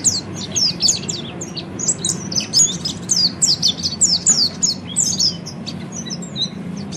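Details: Ngeriwik singing of an Oriental white-eye, meant to prompt other birds to chatter: dense runs of high, sharp twittering notes with brief pauses and a low background hum.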